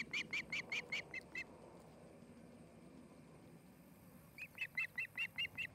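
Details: Osprey at a nest in Charlo, Montana, filmed by a nest camera on 8 August 2018 in the afternoon: two bursts of sharp, whistled chirps, about two and a half per second, separated by a quiet pause with faint background hiss.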